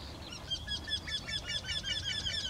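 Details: Two Eurasian wrynecks singing from one tree produce an unbroken string of ringing, nasal notes repeated rapidly and evenly, with a strong high tone over a softer low hum.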